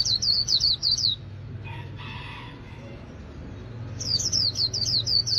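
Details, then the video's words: White-eye singing rapid, high twittering phrases of quick bouncing notes, two bursts about a second long separated by a pause, over a low background hum. "Chim khuyên líu"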